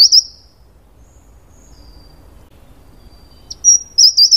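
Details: Taiwan wren-babbler, endemic to Taiwan's mid- and high-altitude forest understory: the tail of one high, wavering phrase, a long quiet pause, then another thin whistle and a quick run of shrill, tinkling notes.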